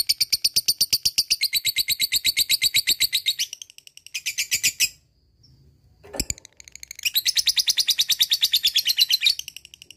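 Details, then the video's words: ['Lively ngekek from a lovebird, used to prompt silent birds to sing: long bursts of rapid, high, rattling chatter, a short burst after a pause, a sharp shriek, then another extended trill of tight pulses.'] "LABET ngekek gacor jeda rapat,solusi pancingan lovebird malas bunyi"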